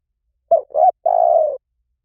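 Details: Spotted dove calling in the 'liu tan' style, used as a lure so a trained dove answers in turn. One phrase of three coos: a brief one, a rising one, then a drawn-out coo that sinks slightly at the end. Quiet background.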